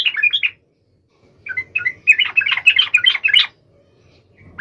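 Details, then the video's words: Yellow-vented bulbul singing energetically to call a rival: a brief chattering phrase, a gap, then a rising tumble of quick, varied, bright notes lasting about two seconds. "SUARA trucukan gacor MEMANGGIL LAWAN"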